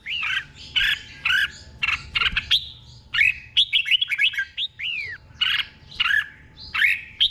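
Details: Caged red-whiskered bulbul, Thailand, singing the doubled 'beun' style slowly and clearly for other birds to copy: steady series of liquid whistled notes, some arching downward, in near-continuous chattering phrases.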